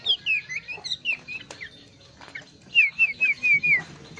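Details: Bush warbler (plenduk semak) singing vigorously with varied sounds: quick high whistled slurs and short downward-sweeping notes in two bursts, a quiet gap in the middle, then a run of bright descending whistles.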